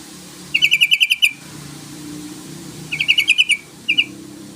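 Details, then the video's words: Yellow-vented bulbul calling out a rival to make it sing. Three bursts of rapid, machine-gun-like chattering notes at a steady bright pitch: two long runs of about eight notes and a short final pair, over a low hum. "BURUNG TRUCUKAN MEMANGGIL LAWAN❗❗❗SUARA TRUCUKAN MERANGSANG LAWAN UNTUK BUNYI"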